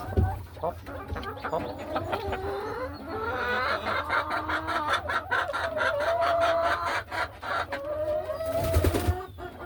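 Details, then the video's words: Hens in a farm hen house in the afternoon, walking the ledges and nesting; continuous warbling, drawn-out clucks that slide up and down, several birds overlapping, with a brief scrape and low hum. "A Peaceful Afternoon in the Hen House | Real Farm Sounds"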